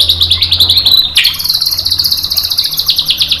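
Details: White-rumped shama tutor song used as bait to make a bird reply: a rapid high-pitched trill, broken by one sharp loud note, then continuing as a fast, slightly irregular buzzy trill throughout.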